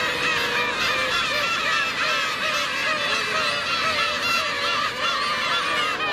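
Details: Black-tailed gull colony where adults cruelly attack a chick: many overlapping nasal, cat-like mewing calls, each call wavering, continuing without pause.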